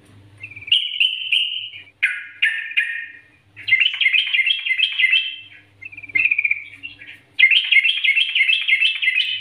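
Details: Bulbul training song in Nggaruda style: a clear sustained whistled note, then choppy chirps and dense bubbling chatter phrases separated by brief silences, plus a faint low electrical hum.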